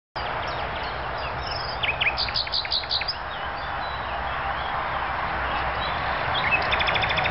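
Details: Common nightingale singing in a tree by Eixer See lake: varied phrases of rapid whistled notes and short trills, densest in the middle, then a run of repeated clipped notes near the end, over a steady low rumble.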